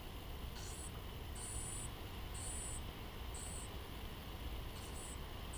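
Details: Two junco chicks in a nest in a garage give thin, very high, hissing begging notes in short bursts about once a second as the mother feeds them, over a steady low rumble like traffic.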